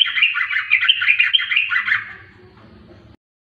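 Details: Yellow-vented bulbul, locally trucukan, giving a rapid two-second stream of bubbling, chirpy warbled notes that trails off, leaving only a low background hum.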